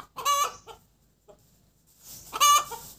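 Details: Egg-laying hen's cackle, two loud strident drawn-out squawks about two seconds apart, each with a few short clucks around it, quiet between.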